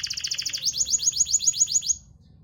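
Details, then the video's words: Canary song used to stir quiet birds into singing: a fast, even trill of clipped notes, then a switch to a sharper, higher series of rapid repeated upswept notes ending abruptly, over low background rumble. "Pancingan suara kenari malas bunyi"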